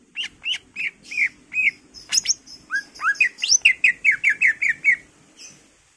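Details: Pancingan song of a greater green leafbird, gacor full isian style: evenly spaced whistled notes, a burst of high sweeping slurs, then a rapid string of about seven repeated downslurred whistles before a faint trill.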